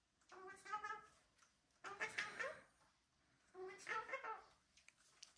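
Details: A pet cockatoo, one of a Gang-gang, a Red-tailed Black or a Major Mitchell's cockatoo, gives three nasal, speech-like squawking phrases about two seconds apart, each with a rasping, wavering tone, in a quiet indoor room.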